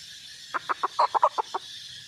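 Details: Red junglefowl hen giving a short run of eight sharp, clucking notes, spaced unevenly and rising then falling in loudness over about one second, against a steady high hiss.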